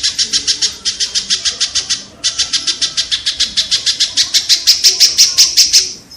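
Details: Long unbroken sequence of harsh, clipped kingfisher notes, speeding slightly and rising in loudness toward the end, with one short break; the recording is played repeatedly so songbirds learn the calls.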